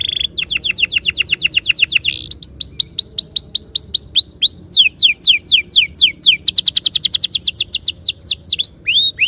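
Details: Canary song used as a master recording to lure caged canaries into singing long rolling phrases; fast high trills of repeated downward-sweeping notes, shifting between several trill types at a quick steady pace.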